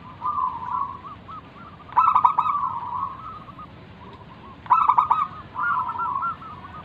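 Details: Local wild-type zebra dove singing to lure other doves into answering: loud rapid stuttering trills arriving about every three seconds, each trailing into softer wavering coos between bursts.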